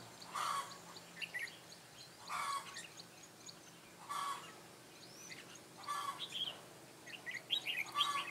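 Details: Red-whiskered bulbul decoy luring wild bulbuls into a trap, Mũ lân Ché type, 9 June 2017. Brief clear phrases at steady intervals with chirpy notes near the end, over repeated rustling noise.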